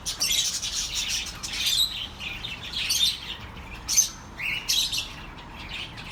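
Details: Chirping budgerigars, offered as comfort for lonely pet birds: rapid high twitters and scratchy notes, loudest at the start, then spaced sharp chirps and a short whistled slur, light background hiss.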